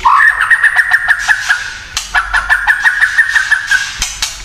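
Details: White-rumped shama in kretekan song, said to provoke other shamas: a steady, fast pulsing trill held on one pitch for almost two seconds, repeated after a short break, with clicking sounds.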